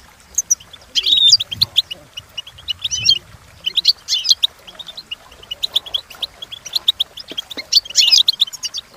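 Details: European goldfinch, training song: sparkling bursts of rapid twitter mixed with lone sharp chirps and short trills. Faint low sounds appear in the first seconds.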